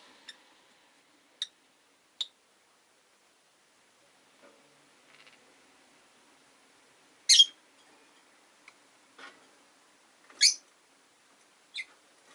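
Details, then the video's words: Caged rosy-faced lovebirds, five in all, kept by a window. Scattered thin chirps are followed by two louder shrill calls and a last squeak, with faint clicks and rustles between. "Lovebird Chirping Sounds"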